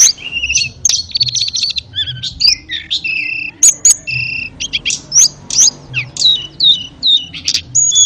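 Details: Ashy tailorbird song used as a master song for training canaries and magpie-robins: rapid, varied high chirps, trills and sharp whistled notes with quick slurs, in short bursts separated by brief pauses, over a faint low hum.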